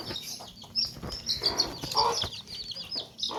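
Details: Baby chicks in a tokri basket utter sharp high chirps in quick clusters, with a few lower clucks and soft rustling in the background.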